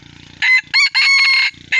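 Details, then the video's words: Crowing Gà rường F1 chicken: a harsh, strained crow in several bursts, the longest held about half a second, over a low rapid pulsing mechanical rattle that starts and stops between phrases. "Suab qaib qus quas zoo heev"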